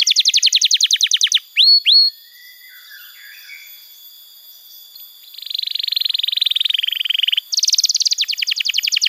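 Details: Canary song used as a training recording for young canaries: fast trills of repeated downward sweeps, two clear whistled slurs, a lower buzzy rattling tour, then another rapid high trill.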